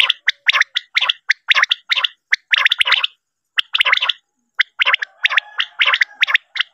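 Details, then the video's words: A common quail, used as a night-time lure call for quail netting, calls in rapid bursts of harsh, liquid notes, about one a second, with brief pauses and a faint hum under the later calls. "batair ki hawaz"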